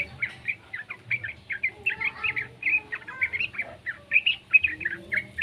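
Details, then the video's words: Juvenile yellow-vented bulbul whose calls are meant to trigger song from other bulbuls: irregular, scratchy high chirps in quick clusters throughout, over a soft low hum. "suara burung trucukan muda PALING AMPUH buat Pancingan trucukan agar BUNYI"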